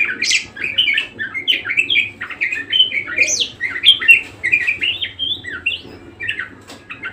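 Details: A vigorous, nonstop budgerigar warble made of chattering squeaks, buzzy chirps and rising whistled notes, with a soft hum underneath.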